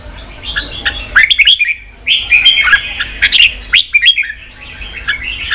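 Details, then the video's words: Red-whiskered bulbul song meant to stimulate fighting and loud singing in wild-caught birds; lively slurred whistles and warbles in two long runs with a short break, ending in softer chatter. "Kích chào mào bổi đấu, luyện chào mào sổ giọng, kích chào mào căng lửa"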